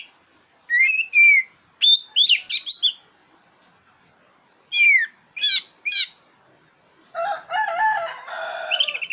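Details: Black-breasted oriental magpie-robin singing, used as a lure to stir up contest birds: loud clear whistled phrases, some rising and some falling, in bursts separated by pauses, ending in a harsher, lower chattering run.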